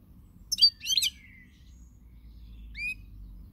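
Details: European goldfinch singing on 20 March 2020: a pair of sharp, jangly twitter bursts trailing into a short slurred note, then a lone rising chirp a couple of seconds later, over quiet low hum.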